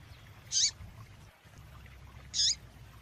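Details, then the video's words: Female Double-collared seedeater ('tui tui' type) calling to rouse a male: a pair of short, high, crackling chirps nearly two seconds apart, with soft hum beneath. "Coleiro tui tui Rápido Com Piado de fêmea Para Esquentar seu Coleiro !"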